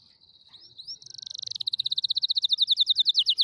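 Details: Singing canary, from a tutoring recording for young canaries: a few soft rising whistles open into a long, accelerating rolling trill of high notes that grows steadily louder.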